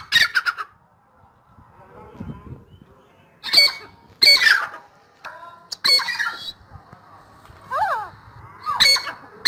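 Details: Grey francolin (dakhni teetar) gives scattered loud, harsh bursts separated by pauses, with a quick descending chirp from another small bird and low background murmur between calls.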